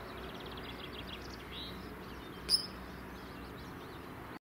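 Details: Eurasian coot with chicks at the Slingelandse Plassen, Alblasserwaard, Netherlands: thin, high peeping notes and one sharp, explosive call note, over a steady rushing background.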